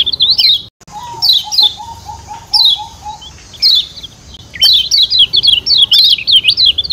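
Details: Lombok yellow white-eye (kecial kuning) call used to spur birds into singing: bursts of wavering high chirps, a run of six low even piping notes, spaced falling chirps, then a long fast chirping sequence.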